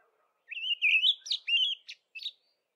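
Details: Early spring dawn song of the olive thrush, one clear whistled phrase wavering upward, then a few shorter slurred notes and two brief high chips, in a quiet setting.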